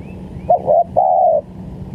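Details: Tekukur, or spotted dove, recorded as a trapping lure, gives a quick sharp note, a short coo, then one long even coo that fades slightly at the end, over a steady low hum.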